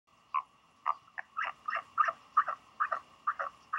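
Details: Northern royal albatross chick, hatched 31 January 2020, at Pukekura/Taiaroa Head, Dunedin, New Zealand, on 11 March 2020, wary of a visitor that may be its parent; short harsh nasal notes repeated roughly twice a second over a steady electrical hum.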